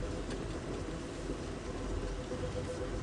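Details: A vehicle engine idles steadily at sunrise on a live safari drive, a low rumbling drone with no animal voices heard.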